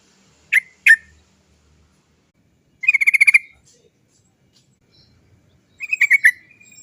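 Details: Trucuk, the sooty-headed bulbul, sings to lure other birds into song: two loud separate chirps, then a quick stuttering roll of clipped notes, and a second buzzy rolling burst after a pause.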